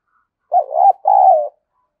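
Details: Two-part cooing from a spotted dove kept as a decoy to stimulate other doves: a brief throaty lead-in, then after a short break a long, even, low hoot that fades gently. No other sounds.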